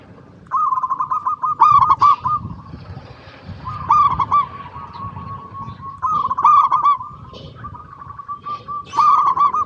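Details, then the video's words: Local zebra dove singing persistently, a recording used as a lure so other zebra doves start singing: repeated loud phrases of fast, bubbling, rolling coos every two to three seconds, linked by softer sustained tones, over faint low noise. "PERKUTUT LOKAL GACOR PALING DISUKAI 🐦 Suara Asli Bikin Semua Perkutut Dimanapun Pasti Nyaut"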